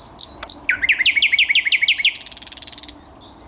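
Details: Thrush nightingale singing, 10 May 2021: a sharp click and two high notes lead into a fast series of about ten repeated, bouncing chirps, followed by a rapid, buzzy rattle and a closing high note.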